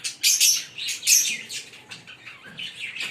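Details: A green Fischer's lovebird pair calling with a few loud, piercing chirps early on, followed by quieter, wavering twitters and squeaks.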